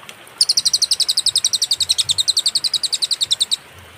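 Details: Cililin, a master recording for teaching songbirds, clear and paused: after a quiet start, rapid bright chipping notes repeat steadily for about three seconds before stopping.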